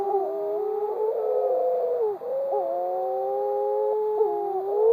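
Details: Wedge-tailed shearwaters, underground-nesting tubenose seabirds, give long, low, wavering moans with several overlapping voices, with eerie drawn-out notes that dip and rise, recorded at a protected colony on Maui, Hawaii.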